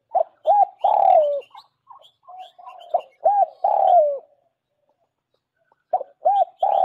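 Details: Spotted dove lure call: double coo then drawn-out falling coo repeated twice, soft quiet notes between, a brief silence, then another phrase starting; faint high chirps behind.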